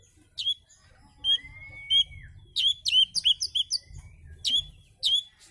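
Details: Oriental magpie-robin singing a relaxed song used as a lure to draw other birds: varied bright whistled and chirping notes, some short and sharp, one long smooth rising whistle, in quick bursts with brief pauses, over low background hum.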